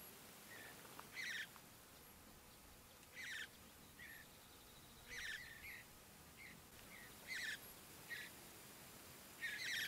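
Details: Juvenile mountain bluebirds in early morning at Great Sand Dunes National Park, Colorado, begging and being fed, give short, harsh, raspy bursts every two seconds or so, with soft high chips between them against a quiet, breezy background.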